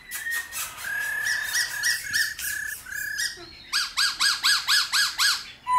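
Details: Laughingthrush singing in the forest-style voice over a steady background hiss, intended to stimulate wild-caught birds: level whistled notes, then a brisk series of bright arched notes about four per second.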